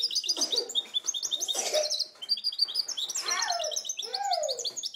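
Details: Goldfinch-canary hybrid recorded in 2010, singing a fast, continuous run of bright, high twittering notes and trills, with lower, slurred downward whistles mixed in throughout.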